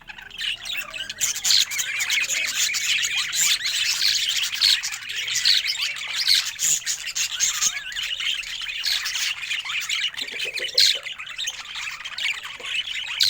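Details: Pet budgerigar said to look happy, keeping up a long, unbroken stream of high, scratchy warbling with twitters, clicks and occasional sharper squeaks.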